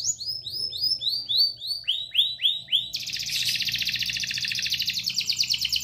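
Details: Young canary learning to sing in the afternoon: a loud run of about ten clear, sweeping whistled notes falling in pitch, then a rapid, buzzy trill of fast repeated notes held for three seconds.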